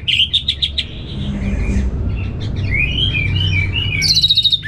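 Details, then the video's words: Caged orange-headed thrush, northern Bali, responding to a played recording: a quick string of repeated sharp chirps, then a flowing series of rising and falling whistles, ending in a high buzzy burst. "ANIS MERAH Langsung Gacor Nyaut Joss"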